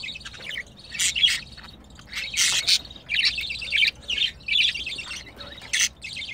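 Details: A pet male and female budgerigar kept as a mating pair, filmed during mating; busy warbling chatter in clustered bursts about a second apart, harsh buzzy notes mixed with high chirps.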